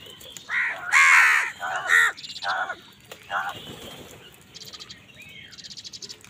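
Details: Crows angrily contest food with other wild birds: a long, loud, ragged caw followed by shorter hoarse calls, then fainter rapid rattling chirps from smaller birds toward the end.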